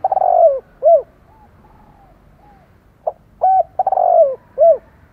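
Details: A spirited spotted dove coos to stir up other doves: a rolling coo with a short clipped end note, then soft faint notes, then the same phrase again about every four seconds, over a low background hum.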